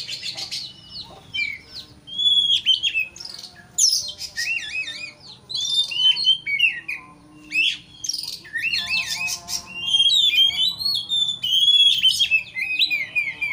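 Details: Oriental magpie-robin singing to rile up a rival into emotional, insistent response; loud, varied phrases of rich whistles, rising and falling slurs and scratchy notes, delivered in bursts separated by brief pauses.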